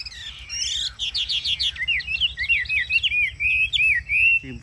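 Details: Caged Chinese hwamei singing in hot weather in the ngũ trường song style, a loud run of varied clear whistled phrases, rising and falling slurs and quick trills, then a bright sustained warble.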